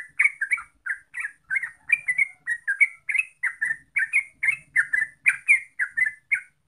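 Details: Trucuk, the yellow-vented bulbul, giving a steady chattering song of bubbly, gurgled notes in quick succession, with faint low background rumble.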